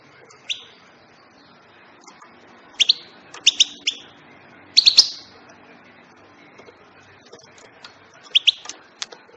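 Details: European goldfinch uttering scattered high, thin chirps that bunch into quick bursts of two or three notes, one louder tinkling group in the middle, then lighter ticking notes trailing off.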